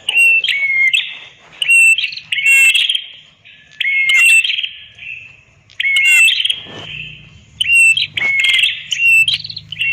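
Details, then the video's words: Red-headed prinia singing for use as a training master: piercing, fast trills mixed with clear rising and falling whistles, delivered in bursts roughly every two seconds, with a faint low hum underneath. "Suara ampuh Master burung Prenjak kepala merah"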